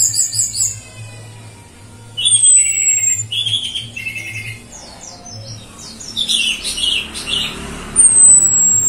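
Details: Female orange-headed thrush whistle used as a lure for other birds: high whistled phrases and rapid chattering notes around 2-8k, some thin clear whistles sliding down, with a low steady hum underneath.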